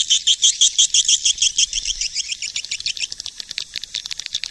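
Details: Swiftlet lure call recorded in 2020: a burst of strong, evenly spaced high chirps, roughly three each second, giving way to a softer, faster chatter of thin ticking notes.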